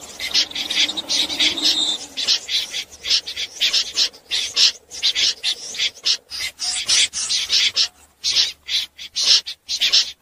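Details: Common snipe at night, a lure recording for net trappers: dense, grating rasps follow one another rapidly, with a faint low hum under the first two seconds.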